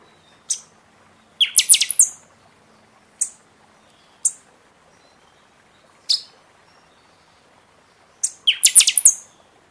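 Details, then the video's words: Buffy-fronted seedeater in full seasonal song, used to stimulate caged birds after their moult; isolated high piercing notes spaced a second or two apart, with two fast ringing bursts of several strokes each. "Pixoxó cantando muito na temporada"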